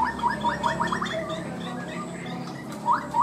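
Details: Caged Chinese hwamei in 'cao cầu' song, quick and stable in starting: a short run of rapid rising notes, a pause with faint background noise, then two more upswept notes.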